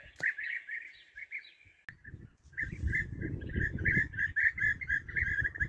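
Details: Several European bee-eaters calling while being hunted: a sharp click, then a few rolling trills, a short lull, and a renewed lively chorus of repeated burry notes over low wind rumble.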